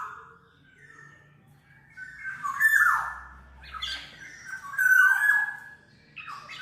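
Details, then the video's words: Black-naped oriole (kepodang mas) for masteran and trapping lures: repeated nasal, mewing notes that dip steeply, about three phrases in close succession, with a low steady hum beneath. "SUARA BURUNG KEPODANG MAS, untuk masteran/pikat"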